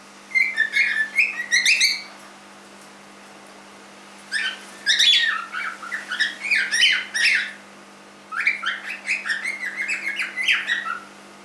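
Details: Pet cockatiel aged three months uttering clustered bouts of harsh, buzzy squawks and sweeping chirps, three separate bursts divided by quiet gaps of about two seconds, with a low steady hum in the background.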